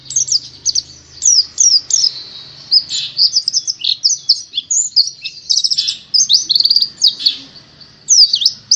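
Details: White-eye kept in Indonesia's songbird hobby, singing a fast, continuous twitter of high, sharp, slurred chirps and short trills, with brief rising and falling whistled notes packed closely throughout and barely any pause.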